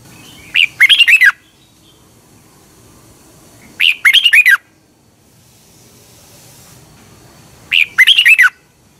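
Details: Red-whiskered bulbul from Thailand, a recording used each morning to train caged birds. Three short song phrases, each about four seconds apart. Each phrase is a brief lead note followed by four rapid, liquid, warbling notes. Faint hiss between phrases.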